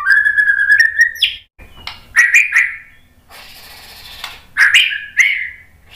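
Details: White-rumped shama lure song meant to stir birds into answering: a slurred whistle rising at its end, then scattered short whistled notes separated by quiet, hissy gaps.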